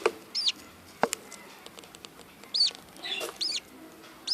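Budgerigar giving short, bright arched chirps, spaced irregularly between soft clicks.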